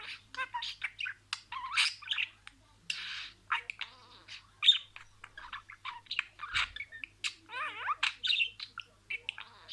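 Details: Budgerigar speaking sequential words: dense, high-pitched babble of clicks, buzzes and squeaks, with a warbled wavering passage late on and continuous chattering throughout.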